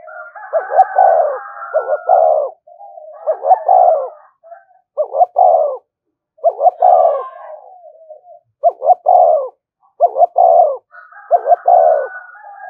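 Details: Spotted dove coos meant to provoke rival doves: about ten hoarse phrases over thirteen seconds, each a quick stuttered double note then a longer falling coo, with a layer of quieter overlapping coos throughout.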